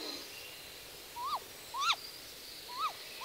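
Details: A female great grey owl on the nest gives four short whistled contact calls that rise then drop sharply, about one per second, with the male's lower voice in the background.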